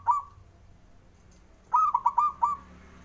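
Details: Male zebra dove song, used to stimulate doves slow to sing: a lone short note, then a quick rhythmic phrase of about five clipped, mellow cooing notes at a steady mid pitch over a quiet background.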